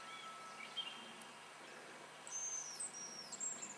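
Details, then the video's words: Hazel grouse on a lek in spring in Russia: after a quiet start, long, very high, thin whistles are drawn out and slur downward in the last second and a half, with faint short chirps earlier. "Рябчик на току. Grouse on a lek in Russia"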